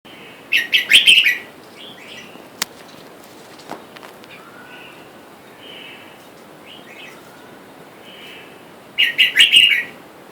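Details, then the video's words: Red-whiskered bulbuls, a wild-caught male and female pair kept in a cage, with wild birds calling for a mate outside. A burst of bright chirpy warbled phrases opens, then a quiet stretch with soft notes, then a second chirpy burst at the end. "แอบดูนกกรงหัวจุกป่า ผู้ เมีย ในกรง และเสียงนกป่าเรียกคู่อยุ่ด้านนอก"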